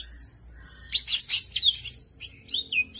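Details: Brief bout of full isian song from a champion greater green leafbird: high sliding whistles and a dense burst of sharp notes, then falling slurs, with a faint low hum underneath.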